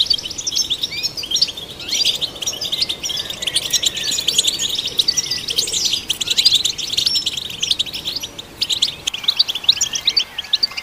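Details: Goldfinch song for stimulating goldfinches: a long, dense, jingling chatter of overlapping high chirps and trills that keeps going for the whole stretch, thinning slightly toward the end.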